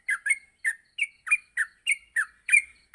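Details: Short stretch of yellow-vented bulbul morning song for training bulbuls to sing rapidly: about ten bright chirps and slurred whistled notes at a quick, steady pace.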